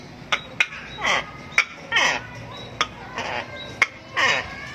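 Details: Palm cockatoo imitating the call of a tokay gecko. Harsh, hoarse bursts alternate with sharp clicks and ringing overtones, repeated irregularly about every second.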